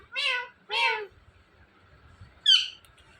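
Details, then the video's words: Talking Indian ringneck parakeet gives two nasal, meow-like syllables in quick succession, then after a pause a higher, sharper squawked word. "Indian Ringneck Talking Parrot"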